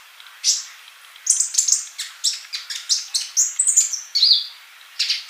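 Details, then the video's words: Male sunbird singing actively as a tutor for young birds not yet singing: a continuous stream of sharp, high chirps and squeaky trills, with brief gaps. "Kolibri Ninja Jantan Gacor buat masteran yang masih bisu"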